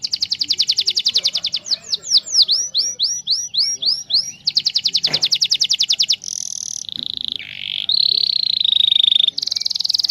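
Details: Loud canary song played as a lure so other canaries answer: rapid high trills, a series of repeated downward-swooping notes, more dense rolls, then buzzy tones and a sustained whistled note before a final trill.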